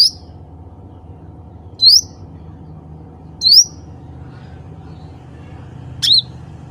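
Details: Bulbul known locally as cucak ranting, calling other birds of its species: bright, quickly rising whistles repeated at uneven gaps of roughly one and a half to two and a half seconds, backed by a constant low drone.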